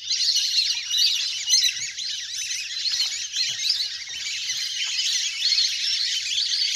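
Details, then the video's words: Big flock of ducks at play on the water, a natural recording used as a hunter's lure: many shrill, squeaky whistles chatter over one another in a steady, unbroken mass. "เสียงนกเป็ดน้ำ! ฝูงใหญ่เสียงคมชัดมาก สำหรับต่อเรียกนกให้ลง"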